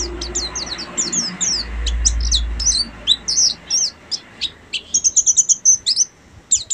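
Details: Buxtomi Oriental white-eye in ngeriwik song: a quick stream of high squeaky chirps, then a fast run of evenly spaced sharp twitters near the end, with a soft low hum beneath.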